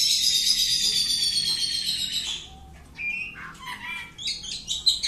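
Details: Oriental magpie-robin kept at home, tested for boldness, delivering a long, loud, high rattling trill for over two seconds, followed by scattered varied whistled and chattering notes.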